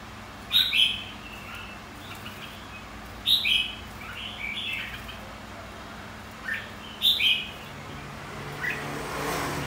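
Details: Competitive song of a white-cheeked red-whiskered bulbul used to stimulate other birds: three similar sharp warbled phrases, roughly every three seconds, each trailed by fainter notes.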